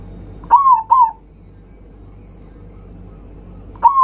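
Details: Zebra dove singing loudly to provoke rivals: two short, bright cooing notes close together, a long quiet gap, then a single similar note at the end.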